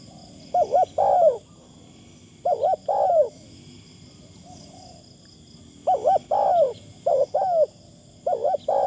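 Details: Spotted dove used as a decoy bird, cooing in a thin phrasing style. Five mellow two-note coo phrases, rounded and arching, come in an uneven series with short pauses, over a low, constant background hum.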